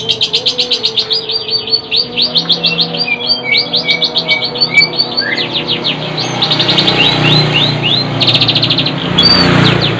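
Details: Kept long-tailed shrike (cendet) delivering a long, fast stutter of clicking notes with sliding whistles, then rising squeaky phrases and rattles, against a low background rumble.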